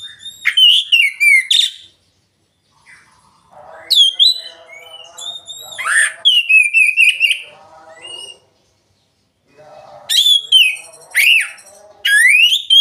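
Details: Oriental magpie-robin lure song for birds that seldom sing, loud and open-voiced: bursts of sharp, varied whistles and slurred sweeping notes separated by short pauses, with some softer lower chattering notes between phrases.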